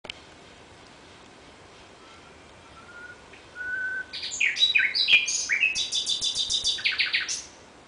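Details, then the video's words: Common nightingale singing at night: faint thin whistles slowly rise in loudness, then burst into a loud, rapid run of varied high chirps and trilled notes lasting about three seconds. "Κελάηδημα Αηδονιού στη νύχτα ( Nightingale )"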